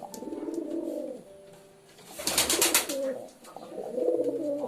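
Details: Pigeon cooing indoors: low, throaty rolling coos in phrases about a second long, broken by a brief burst of wing flapping or rustling.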